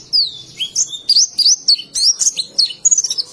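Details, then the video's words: Indonesian oriental white-eye in ngalas song, delivering a lively string of high, sharply slurred whistles and chirps, some rising and some falling, closely spaced and varied throughout. "Burung Pleci Ngalas"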